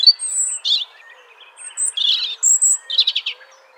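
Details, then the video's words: A wild robin sitting in a tree gives a quick run of high, thin whistles and chirps at shifting pitches, closing with a short, rapid trill of buzzy notes. "Robin Chirping Sounds: Robin Noises"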